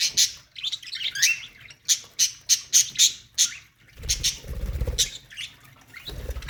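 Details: A colony of budgerigars singing in an aviary: a string of sharp, squawky high chirps, several each second, with scratchy warbled notes between them and a burst of low rumbling near the end.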